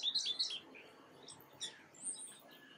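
A black-capped chickadee gives a quick burst of high, slightly buzzy notes, then a few thin, high chips over soft background hiss.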